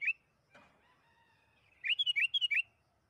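A sooty-headed bulbul gives a quick phrase of seven bubbly, fluty notes rising and falling, after a lone chirp and a soft click.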